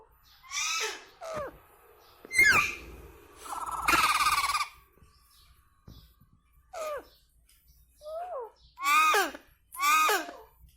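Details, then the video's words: Indian ringneck parrot talking and calling indoors, a run of harmonic speech-like syllables with falling glides, one harsh broadband squawk mid-way, then several short descending phrases. "Indian Ringneck Talking Parrot"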